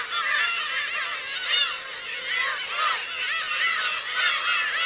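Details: A colony of black-tailed gulls with chicks at Kurosaki coast, Teuri Island, Japan, in June 2021 gives a busy wall of plaintive, bending cries, with a few louder mews standing out.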